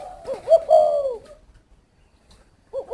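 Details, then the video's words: Spotted dove at a Vietnamese aviary near Hanoi delivers one husky coo phrase of quick rising notes into a long sliding tone, then silence before the next phrase begins. "chim cu thổ"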